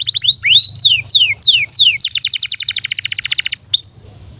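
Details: Canary song aimed at young or silent canaries: a few looping whistles, then a run of slurred descending notes, followed by a fast even trill of short chirps and a brief whistle.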